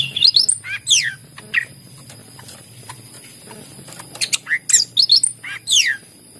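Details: Greater green leafbird, used to prompt silent leafbirds to sing: quick high chirps and downslurred whistles in two clusters with a quiet pause between them.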